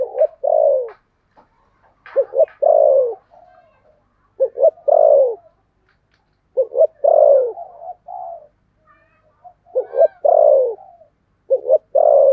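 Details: Decoy spotted dove in the 'thổ' voice style, calling to lure birds. It gives a steady series of low coo phrases: short doubled hoots, then a long mellow falling note. Quiet chirps sound between phrases.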